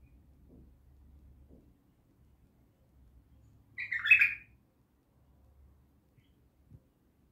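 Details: A bulbul at Naft Khaneh gives one brief, bright warbled burst midway through an otherwise quiet stretch with soft low background noise and a faint tap near the end.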